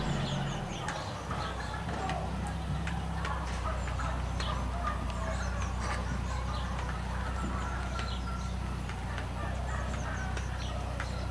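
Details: Turkeys in an intensive farming shed, filmed in 2010: a dense, continuous din of many overlapping birds, with constant chirping and peeping notes over a heavy low rumble, likely ventilation.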